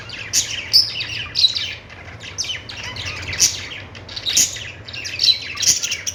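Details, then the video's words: Several budgies give scratchy, high chattering notes in short clusters separated by brief pauses, with a faint low background rumble. "Budgies singing |budgies sounds"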